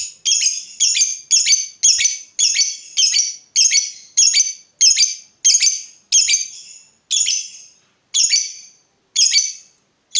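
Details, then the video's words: Lovebird calling, in a recording meant to stimulate other lovebirds to sing: a series of short, sharp, high squeaky notes, each with a brief falling tail, repeated roughly every second, spacing widening toward the end. "Berkat Pancingan SUARA BURUNG LOVEBIRD INI, Labetmu dijamin GACOR tak lagi Malas DIAM MEMBISU"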